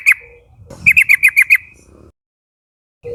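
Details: Yellow-vented bulbul from a young forest flock calling to draw companions into calling. One sharp chirp, then a rapid run of six bright, slightly buzzy notes, followed by near silence.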